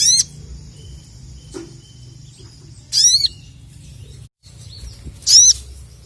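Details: Crested jay (sogon) kept for song competitions, fired up and challenging rivals: three strident calls with rising overtones, spaced about two and a half seconds apart, over a low hum and a sustained thin tone.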